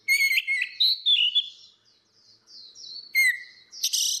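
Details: Orange-headed thrush pair, female against male, singing ngeplong as a lure for reluctant singers; loud harmonic whistled notes, soft slurred phrases between, then a strong downslurred whistle and a final rich burst.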